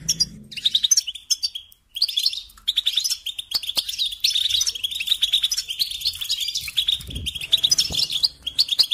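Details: European goldfinch, kept as a singing songbird, pouring out a long continuous twittering song of rapid chirps and tinkling trills after a brief pause at the start.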